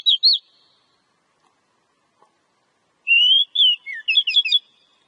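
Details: Oriental magpie-robin (kacer) song meant to make a kept bird sing: two looping whistles, a gap, then a rising whistle and a rapid tumble of varied high chirps and sweeps.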